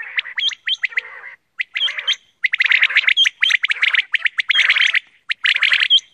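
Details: Quail giving dense bursts of sharp, chirping and clicking notes in quick runs, with short pauses between bursts and a faint steady tone underneath.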